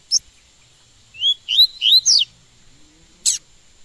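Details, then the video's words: Coleiro (double-collared seedeater) being trained to sing delivers one quick phrase of four clear, rising whistled slurs, with a sharp click before and another after. "Como Encartar Um Coleiro Em 30 Dias"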